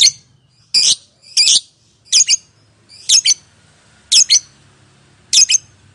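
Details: Lovebird call used as a prompt for other lovebirds to respond: a run of seven harsh, paired squawking chirps, shrill and buzzy, each roughly three-quarters of a second apart.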